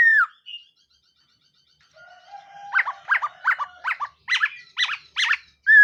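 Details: Black-throated laughingthrush in a morning voice-training song, opening with a falling whistle, then a rapid series of about ten short, sharp, rattling notes that grow louder and higher, ending on a rising whistle.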